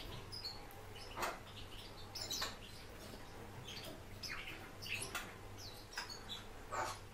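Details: Kept warbling white-eye, Zosterops japonicus: brief sharp high chirps spaced irregularly, some stronger bursts at about one-second gaps, over constant low electrical hum.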